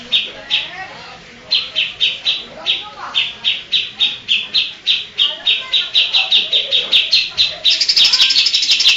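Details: Greater green leafbird voicing mimicked songs of Kapas Tembak, Cililin, Tengkek and others; after a quiet start, crisp high notes repeat steadily, speed up, and end in a shrill continuous trill.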